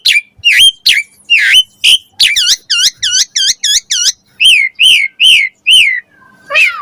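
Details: Javan pied starling song used as a lure for training young starlings: loud repeated whistled notes, many rising and falling U-shaped phrases around two to four kilohertz, with rapid clicking bursts between them.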